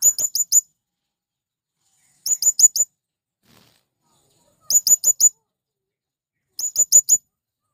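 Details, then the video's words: Male blue-crowned hanging parrot calling to attract wild birds: four evenly spaced bursts, each of four shrill, very high-pitched squeaky chirps delivered quickly, with silence between bursts. "Burung Serindit Jantan Memanggil Kawan||ampuh memanggil serindit liar"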